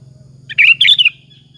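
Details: Sooty-headed bulbul singing energetically as a lure for other bulbuls to answer: a quick run of three bubbly, chattering chirps rising and falling, finished by a faint drawn-out whistle, over a low steady hum.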